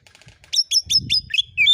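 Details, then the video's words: Oriental magpie-robin (kacer) lure song with rapid fill notes, meant to make other birds answer: a few soft ticks, then five quick high downslurred chirps and a closing pair of whistles, with faint low rumble behind. "KACER AUTO NYAUT EMOSI KONSLET masteran burung kacer nembak isian"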